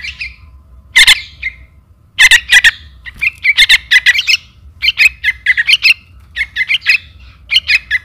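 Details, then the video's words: Lure recording of a trukan chick calling its parent: rasping, high squeaky notes in rapid bunches, one loud burst then steady clusters of chirps every half second or so, low background hum. "anak trukan memanggil induk"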